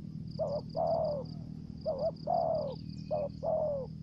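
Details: Decoy spotted dove calling in the thổ dế style with dập and the mai rừng style. Three paired phrases, each a short wavering note followed by a drawn-out, falling coo, with steady low hum and faint high bird chirps behind.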